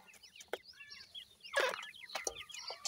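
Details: Irani teetar chicks, Iranian francolins, calling with sharp descending peeps and short buzzy notes crowding together, interrupted by loud knocks and a brief burst of rustling.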